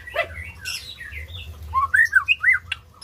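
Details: White-rumped shama singing, used to prompt silent birds into song. Sparse sharp chips and short slurred notes, then a clear run of rising and falling whistles near the end, over a low background hum.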